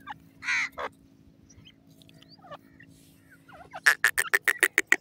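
A francolin gives a harsh, raspy double burst, then a fast run of about eight loud, ringing notes, roughly seven per second, over a low steady hum.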